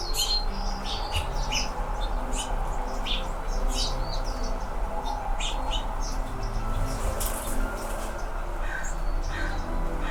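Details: Fall chirping of Anna's hummingbirds in California, red-throated birds; brief squeaky high chirps come steadily throughout, sometimes in quick pairs, set against a constant low hum and faint background tones.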